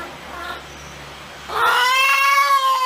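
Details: Chicken cackling: after a second and a half of faint low hum, one loud drawn-out harmonic note swells in and is held, slightly bowed in pitch, to the end.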